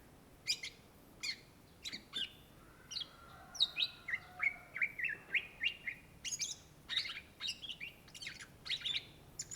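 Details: Cucak ijo, the greater green leafbird of Indonesia, singing energetically: rapid chirps and sharp ticks give way to a run of level whistled notes, then more varied twittering phrases, almost without pause.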